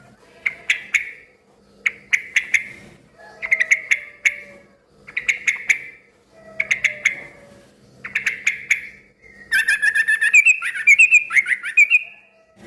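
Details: Noisy, lively yellow-vented bulbul song that sets other bulbuls calling back. Short bursts of sharp clicking chirps repeat about every one and a half seconds, ending in a longer bubbling, warbled phrase, over a faint low hum.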